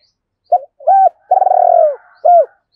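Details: Decoy spotted dove calling to draw in wild doves; one full phrase of two short coos, a long vibrating rolled note, then a sharp falling closing coo, loud and close.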